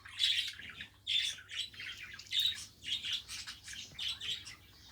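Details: Pet budgerigar, kept and tamed at home, giving a busy warbling chatter: short buzzy, scratchy chirps in bursts about every half second, with brief pauses between phrases and a low steady hum beneath.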